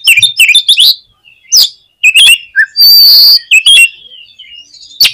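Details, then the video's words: Oriental magpie-robin song for provoking kept magpie-robins: quick whistled notes and sharp chips in short bursts, with one harsh buzzy note held for half a second midway. "KACER KURANG EMOSI ?? PUTAR SUARA INI DI JAMIIN KACER KALIAN AUTO BONGKAR ISIAN"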